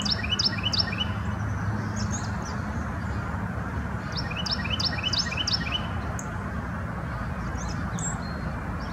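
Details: Foraging Carolina wren at a Virginia farm in Hampton Roads, February 2019, giving repeated ringing two-part chirps in two runs, one at the start and another midway, against constant low background hum.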